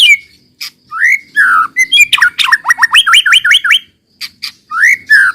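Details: White-rumped shama singing as a lure for untrained shamas: rich slurred whistles, then a run of quick hooked notes rising in a stepped series, and scattered sharp clicks.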